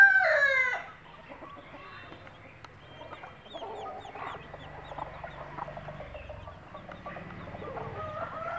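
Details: Country hen showing chicks food by dropping bits and clucking. It opens with a loud harsh call, then continues with quick, soft, rapid clucks about four per second, with thin high chick peeps scattered throughout.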